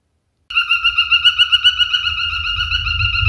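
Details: Male cockatiel holds one long, even whistle with a fast pulsing wobble after a short silence, while a low rumble grows beneath it.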